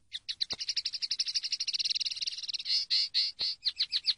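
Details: Common linnet from a training recording of song, a fast run of rapid chirping notes around four kilohertz, then louder drawn-out buzzy notes and quick twittering phrases at the end.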